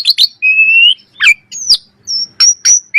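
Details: Common myna: a few sharp chips, then a long steady whistle rising slightly, followed by a descending slur, high piping tones and rough bursts.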